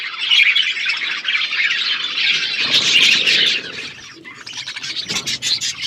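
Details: A flock of budgies chirping as they eat: loud, steady high-pitched chattering for several seconds, then a softer patch followed by renewed sharp chirps and clicks.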